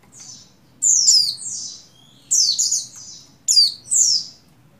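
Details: Female Oriental white-eye in breeding condition calling a male, used to stir buxtoni males into song, dated 7/3/21: three bursts of high, thin, downward-sliding chirps, each pair of notes quickly doubled, about a second apart, over faint low hum.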